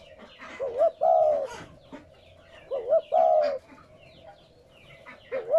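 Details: Cooing spotted dove, a call used to rouse newly caught doves into cooing. Two phrases sound about two seconds apart, each with a short double rising lead-in and a drawn-out low coo, over soft twittering of other birds.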